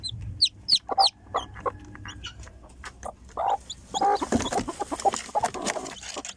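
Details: Chicken chick just emerging from its egg, giving a few thin, high downward-slurred peeps at the start, followed by softer clucking and rustling noise.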